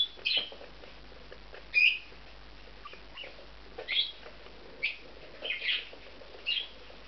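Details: Two bonded male budgerigars taking a nest together in an aviary compound; short bright chirps and warbled squeaks come in bursts, about seven calls spread over several seconds with quiet gaps between.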